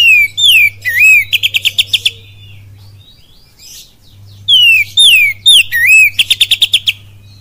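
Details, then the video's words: Oriental magpie-robin lure song of kapas tembak and cililin imitations, given twice: each round opens with sliding, looping whistles and ends in a rattling run of quick sharp notes, a quieter gap between, steady low hum. "SUARA PANCINGAN KACER FULL KAPAS TEMBAK CILILIN DAHSYAT"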